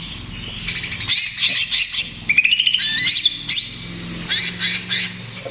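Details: Young trotol-stage greater green leafbird singing energetically, used as a lure and therapy for other birds: rapid high chirps, trills and a rising whistled run, with bursts of dense twittering over a low background hum.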